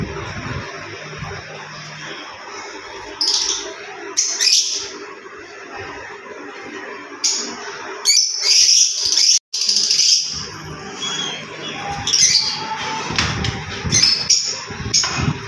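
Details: A pair of green Fischer's lovebirds singing and chirping: scattered bursts of shrill, scratchy high chatter and squeaks coming in irregular clusters over a low background hum.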